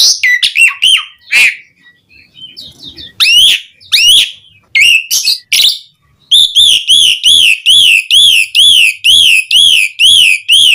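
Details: Javan pied starling in energetic song used as a lure for other starlings: scattered sharp whistles and harsh bursts, then a steady string of identical rising-falling whistled notes repeated roughly twice a second to the end.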